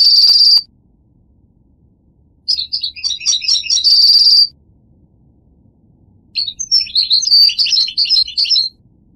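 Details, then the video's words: Goldfinch song opens with a steady high buzzy trill, then after a pause mixes rapid chirps with another sustained buzz, and closes with a tumbling twittered phrase. "The Resonant Chirping of the Goldfinch Bird"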